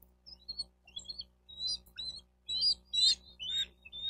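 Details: Bald eagle at a nest in Miami-Dade County, Florida, picked up by a nest cam on 4 June 2023 around 12:35: short high chirping notes in uneven bursts, growing louder toward the end, over a low steady hum.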